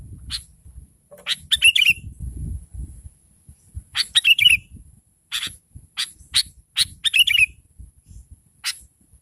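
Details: Sooty-headed bulbul, a lively lure call meant to draw answering birds: sharp buzzy chips alternate with three short bubbly, gurgling phrases over nine seconds, with a soft low rumble underneath.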